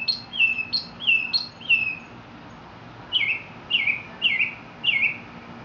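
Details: A Mexican mockingbird repeats a clear whistled phrase that falls steeply in pitch four times. After a short pause it switches to a similar but lower descending note, also given four times.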